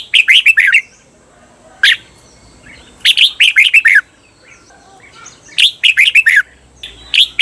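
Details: Caged red-whiskered bulbul, recorded to train birds in the long doubled "bernl" song: three near-identical phrases of five or six rapid falling warbled notes, about three seconds apart, with single short notes between.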